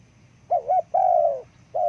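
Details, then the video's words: Spotted dove call for attracting forest birds: a wavering double-humped coo, then a long level coo that sags at its end, and the start of another coo, over low steady hum. "Terkukur Suara bagus panggil burung hutan"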